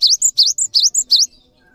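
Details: Cinereous tit's lively song for tutoring other birds: four fast phrases alternating a swooping upward note and a thin high whistle, ending in faint low noise.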